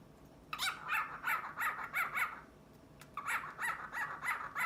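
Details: Caged grey male cockatiel trying to win over a white female, uttering gurgling, warbled 'ujuju' phrases in two rapid runs of wavering, rasping notes separated by a brief silence.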